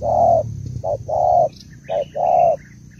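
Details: Female spotted dove of Malaysian stock cooing to excite a male: a long level coo, a short note, another long coo, then a short and long pair, faint higher chirps of other birds in the background.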